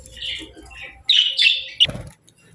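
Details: Pet budgie chirping: soft, whistled notes, then a louder, sustained squeaky warble ending in a sharp chirp, followed by a low thud.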